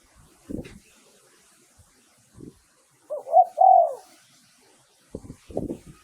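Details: Spotted dove decoy cooing for luring wild birds: one phrase of short notes ending in a long falling coo, amid several dull thumps and knocks before and after.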